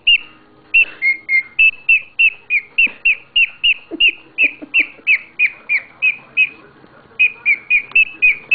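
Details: Happy pet bird giving a long, steady run of bright, high whistled chirps, roughly three and a half per second, with a brief pause near the end and soft lower rustling underneath.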